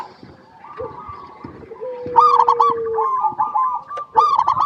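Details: Local zebra dove song used as a lure to prompt other zebra doves to sing: rapid stuttering coos near one pitch, rising into a loud trilled burst, with a long steady lower whistle running underneath.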